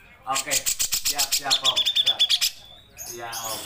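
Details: Grey-cheeked bulbul singing actively, a long burst song used as a training recording for songbirds: a fast series of about fifteen sharp, evenly pulsed chattering notes, then a brief pause and softer noisy sounds.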